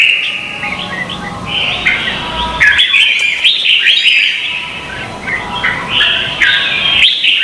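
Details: Red-whiskered bulbul from Vietnam in fighting-style contest song, used for training birds: a continuous, rapid stream of warbled and chirped notes, many short phrases tumbling together with brief breaks.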